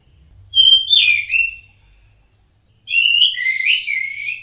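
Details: Orange-headed thrush, a caged bird in full song, gives two bursts of rich, warbled whistled phrases, the first sliding downward and the second a dense jumbled trill, with faint low hum beneath.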